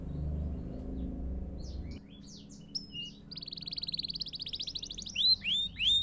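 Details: Canary song for training young birds and teaching new songs: after two seconds of low noise, scattered whistled notes lead into a steady, rapid trill ending in loud upward-swept whistles.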